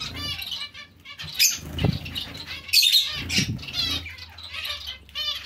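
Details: Zebra finches calling in a colony shared with other small finches, short nasal tet and beep notes in scattered clusters, broken by wing flaps and light thumping movement.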